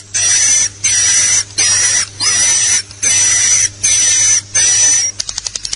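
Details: Swiftlet lure sound, LIUR 77 style: regular buzzy high chirping bursts with short silences between them, ending in a quick series of dry clicks.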